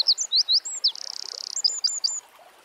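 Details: Eurasian wren singing in nature: a fast, loud, high-pitched outpouring of sharp chirps leading into a rapid mechanical trill, then a run of quick clipped notes ending abruptly.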